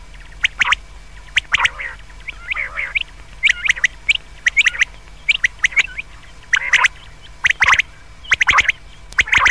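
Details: Common quail, called a fine sound for night, giving busy repeated sharp whistled notes in twos and threes with brief nasal buzzes between them. A quiet constant hum runs beneath.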